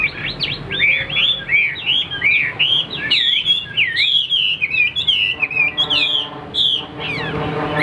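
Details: Tame hwamei singing solo, its female kept far off and out of sight: a lively, varied torrent of loud looping whistles, ending in sweeping slurs.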